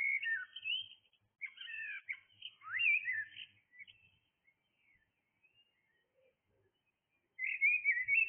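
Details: In the early hours a blackbird sings melodious fluty phrases, first a run of varied whistles and twiddles, then a long pause before another rich whistled phrase begins.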